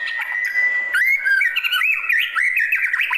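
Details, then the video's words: White-rumped shama, classic call: a held steady whistle, then a dense string of quick up-and-down whistled phrases and chirps. "Kicauan Panggilan Murai Batu Klasik"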